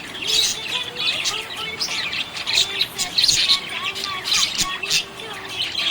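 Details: Cheerful budgie warbling: bursts of sharp, high, twittering chirps rising and falling in loudness, run together into a continuous buzzy chatter over soft lower tones.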